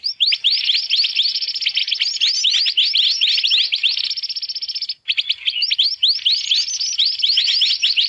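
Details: Black-naped monarch lure sound for catching birds, a busy mantenan racket: rapid strings of bright, upslurred chips piled over one another, a sudden gap around five seconds, then the same frantic chirping again.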